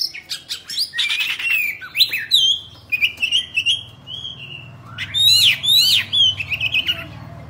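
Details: Pet Oriental magpie-robin in full song while spreading its tail, giving rapid high twittering phrases, thin sliding whistles and sharp zigzag notes, over a steady low room rumble.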